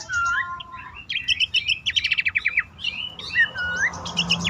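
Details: Horsfield's babbler lure call, used to coax silent, stressed or newly caught caged birds into singing, best played at dawn or night: rapid buzzy trills alternate with clear whistled slurs and rising notes, busy and chattering throughout.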